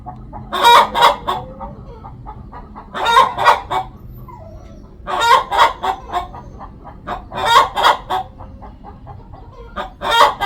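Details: Hen calling before laying an egg: loud, harsh clucking bursts in groups of about three to four notes, repeated roughly every two and a half seconds, with a faint low hum of background noise between bursts.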